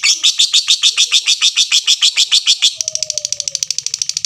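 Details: Caged-style lovebird chatter, the long ngekek song: rapid rasping notes about three per second that speed up into a quicker, tighter trill halfway through, while a soft falling whistle and low hum sound behind.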